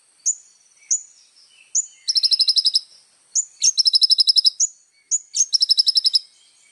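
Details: Little spiderhunter in full, energetic song, recorded to tutor young birds: sharp upslurred high chips spaced under a second apart, broken by rapid buzzy trills of about a dozen pulses, each lasting under a second.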